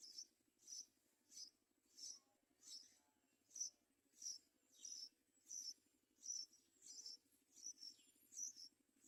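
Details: A baby yellow-vented bulbul begs with thin, shrill, high notes about twice a second, apparently waiting for its mother to feed it, over a steady low hum.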